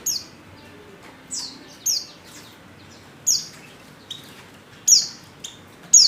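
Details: Female white-eye in heat calling a male: single high, thin notes falling in pitch, given about once a second at irregular intervals in a quiet setting.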